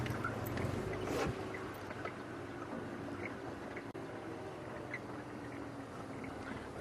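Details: Steady low engine-like rumble and broad hiss, with a brief thump near the start and no clear animal voice.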